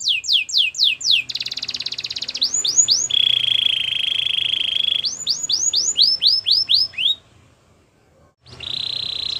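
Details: Belgian canary singing as a training song: rapid series of descending whistled sweeps, a sustained buzzy trill, then more falling notes, a brief pause, and a final trilled phrase.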